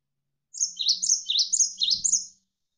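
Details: Javan sparrow with a short, tightly packed phrase of wavering, high chirps and thin whistled notes, about two seconds long, over a faint low hum.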